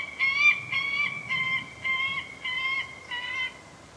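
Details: White-tailed eagle uttering six longer, drawn-out nasal notes with a rich, ringing tone, spaced about half a second apart, each held briefly before the next.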